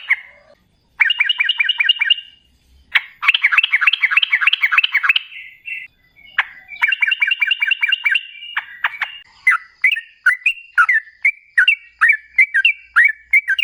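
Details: Sooty-headed bulbul in lively ropel style, played as a lure so other bulbuls start calling: bursts of rapid chattering, bubbling notes separated by short gaps, ending in spaced, liquid two-part phrases.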